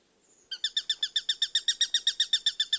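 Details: Bird chirping: after a brief thin whistle, a rapid, even series of sharp high chirps, roughly six per second, continues to the end.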